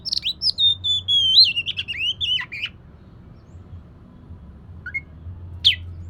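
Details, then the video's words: Lure song of an Oriental magpie-robin for coaxing a lazy bird to sing: a long flowing phrase of clear, wavering whistles rising and falling, then silence broken by two brief chips, over a low hum. "Kacer malas bunyi❓Pancing saja pakai ini pasti nyaut ikut bunyi"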